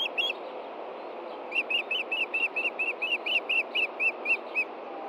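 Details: Osprey at a nest in Montana on an evening in June, the male looking for a fish the female hid after feeding the chicks: a series of about fourteen short, high, whistled chirps repeated rapidly, over steady background hum.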